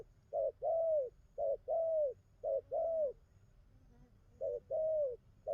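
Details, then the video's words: Spotted dove, freshly wild-caught, cooing in repeated pairs of a clipped note and a longer smooth coo, with a short pause midway where faint lower sounds are heard before cooing resumes. "Thổ tơ bài hay gù tốt"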